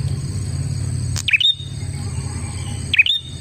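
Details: Prinia lure song for trapping other prinias: two loud, high chirps, each a short downward slide with an upturned tail, about 1.7 seconds apart; low background hum and a faint high steady whine.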